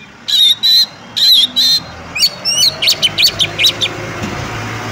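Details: Female Oriental magpie-robin calling a male into song: paired harsh buzzy bursts, then a rapid series of short sharp chirps about every quarter second, over steady background hiss.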